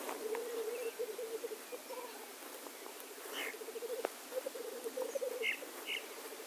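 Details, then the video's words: Male black grouse at a lek: a rolling, bubbling coo in long waves, with a hoarse hissing call near three and a half seconds and two more near the end. "Birkhahnbalz - Tétras lyre - Blackcock lek"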